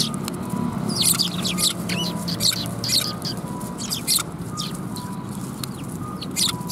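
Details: Sparrows at a Tenmangu shrine in Japan, 23 December 2021. Many short, sharp chirps come in quick irregular bursts from several birds over a steady low rumble of background noise.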